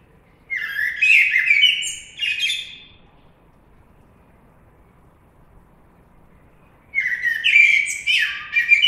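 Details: Common blackbird singing two mellow warbled phrases, fluting notes around the low-mid range ending in higher squeaky twitters, separated by a long silent pause.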